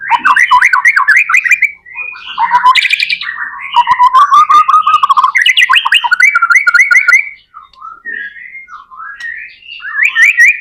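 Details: Long, vigorous white-rumped shama song for luring other shamas to sing: continuous rapid trills, buzzy chatters and looping whistles with constant phrase changes, briefly easing into softer notes before rising again.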